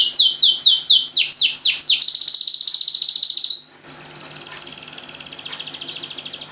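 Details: Canary singing, played to prompt silent canaries to sing: a run of rapid descending whistled notes, then a fast buzzy trill, a short pause and a quieter rolling trill.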